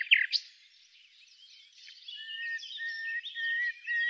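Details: Secretive common nightingale recorded during a survey with thermal technology: a quiet, varied warble of short high phrases, with a loud sharp note at the start and soft twittering strands building toward the end.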